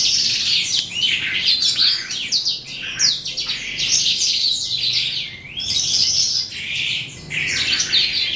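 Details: Late in the day an eastern calandra lark of the psammochroa race sings in bursts of dense, high chattering phrases with buzzy trills, separated by short gaps of a fraction of a second.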